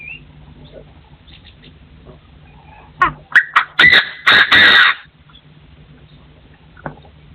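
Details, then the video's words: Lure partridge crowing, forest setting, 2024: after a quiet stretch, a run of harsh, buzzy crowing bursts grows louder and longer, then fades back to low background noise with one short note. "The latest sound of partridges in 2024 crowing"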